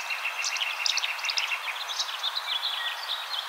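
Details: Tree swallows in Cincinnati, Ohio give a steady stream of bright, liquid chirps and gurgling twitters, several overlapping quickly over a soft background hiss.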